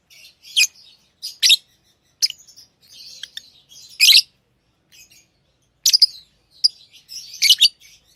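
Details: Tame pet lovebirds chirping and chattering: shrill, high squeaks mixed with softer rapid twitters, continuing throughout.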